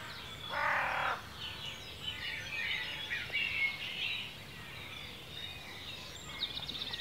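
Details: Woodland birdsong from Cornwall, UK, recorded in ancient forest: a loud, harsh, rasping call near the start, then a layered chorus of bright trills and whistles that thins toward the end.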